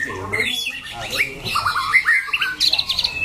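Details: White-rumped shama, a competition cage bird with a loud, harsh voice that shifts its song and sings with stamina, gives short bright whistled and slurred phrases rising and falling, with people talking in the background.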